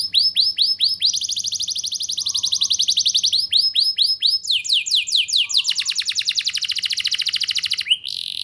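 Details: Lively canary tutor song to spur young canaries: rising whistled slurs give way to a sustained fast trill, then a run of steep upsweeps and another long rolling trill.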